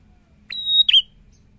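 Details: Single prinia phrase: a sharp onset, then a sustained, pure, high whistle ending in a brief, lower, curling buzzy note. The background is otherwise quiet.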